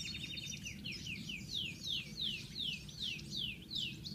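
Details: European goldfinch singing: a quick run of bright, high notes slurring downward, repeated about two or three times a second, over a steady low rumble.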